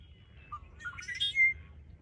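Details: Red-winged blackbird singing at Ridgefield National Wildlife Refuge on 20 February 2025: a short low note, a gurgling jumble of rising buzzy notes, then a thin sustained whistle, with steady low rumble underneath.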